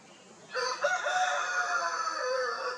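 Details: Rooster crowing on a poultry farm in India holding Italian and desi chickens, establishing territory: one long harmonic crow begins after a half-second pause, holding steady and slightly drawn out before fading near the end.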